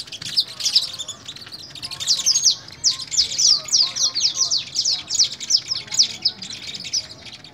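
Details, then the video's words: Canary fogueo at Pelaya, Cesar: continuous high, busy song of rapid chirps, trills and short downslurred notes in pulsing phrases, with no pauses. "fogueo de canario en pelaya cesar"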